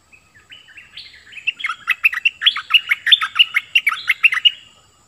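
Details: Bulbul, called merbah lekir, delivering a lively song that begins with soft rising whistles and builds into loud, rapid, downward-sweeping whistled notes, about two per second, in a quiet setting.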